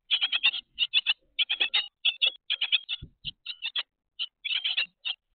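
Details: Noisy cinereous (grey) tits chatter in quick runs of high, scratchy notes, several each second, broken by short pauses; two soft low thumps sound midway.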